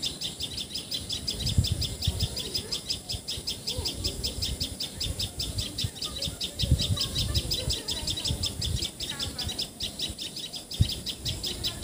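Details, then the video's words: Common tailorbird, Assamese patxhia sorai or tiposi sorai, calling in Assam, India: a sustained fast sequence of sharp, high repeated notes for the whole stretch, with low rumbling and occasional knocks beneath. "Call Of Common Tailor Bird!"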